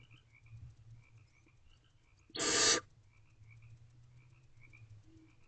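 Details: A single harsh, breathy hiss about half a second long from barn owl owlets in a nest box at night, 1:31 am on 5/7/23, against quiet low hum and faint, soft background chirps.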